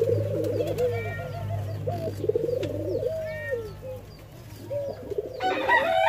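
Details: White-crowned pigeons from Jamaica being hand fed utter rapid, quivering whistled calls that rise and fall, over a steady low electrical hum; a rustling burst near the end.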